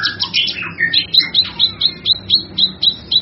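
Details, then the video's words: Loud cucak kinoi song used to train songbirds: a rich whistled warble falling in pitch, followed by a neat series of high, bright chirps spaced about every quarter second. "Suara Burung cucak kinoi"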